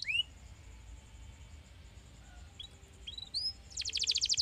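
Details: Canary song used to stimulate other canaries to sing. High, thin whistled phrases and chirps rise and slide at scattered intervals, then break into a fast, loud buzzy trill over the final second.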